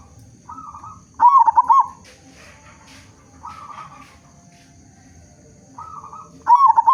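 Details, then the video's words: Local zebra dove with a strong voice, singing to make other zebra doves respond, delivers two rapid, throaty cooing bursts, separated by gentler single coos and quiet pauses. "Perkutut Lokal Gacor Suara Besar Cocok Untuk Pancingan Semua Jenis Burung Perkutut Agar Bunyi"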